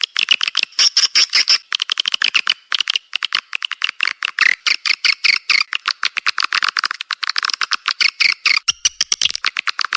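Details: Lure call of the edible-nest swiftlet played to draw birds into swiftlet houses: a steady, dense stream of short, high, clicking chirps with a twittering tone, running almost without break for ten seconds.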